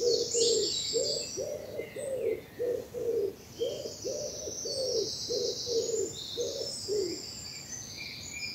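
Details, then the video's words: Spring dawn chorus in bluebell woods, South of England: a low, soft cooing repeated about a dozen times in steady pulses, while high twittering and trilled phrases from other birds continue above it. "Birdsong and bluebells in the morning sun"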